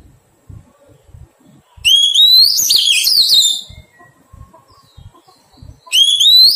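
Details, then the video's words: Oriental magpie-robin in taming, wild-caught: a powerful whistled phrase climbs, then twists into fast, varied warbles. A second phrase starts near the end. Faint low thumps sound between phrases. "Thuần hóa chòe than bổi"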